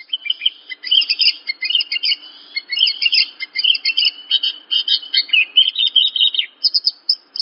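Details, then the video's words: Continuous, varied twittering song of a Horsfield's bush lark, used as training material: dense high chirps and slurred notes run together with few breaks. "Masteran Burung Branjangan"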